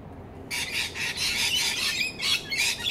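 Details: Rainbow lorikeets at fruit beside a house in Australia break into loud, harsh, grating screeches in a continuous pulsing stream after a half-second quiet start.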